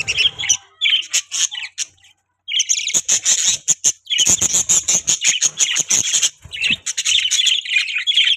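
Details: Budgies chirp and warble in rapid bursts, with a brief silence near two seconds, then a long stretch of fast ticking notes under a steady, shrill chatter.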